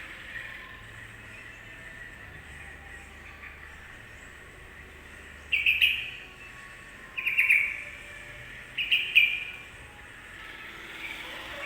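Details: Yellow-vented bulbul song used to provoke other birds into singing: three brief, bright chirpy phrases, each under a second, at about 5.5, 7.3 and 9 seconds, over a steady background hiss.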